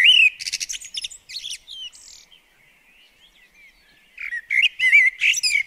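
Common blackbird singing: fluty whistled phrases mixed with rapid, high twittering bursts, a brief pause, then another run of warbled notes.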